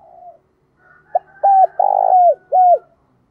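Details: Spotted dove used as a calling lure for wild doves: quiet opening murmur, a short sharp note, then a three-part phrase of arched coo, long gravelly falling coo and closing arched coo, with faint high overtone.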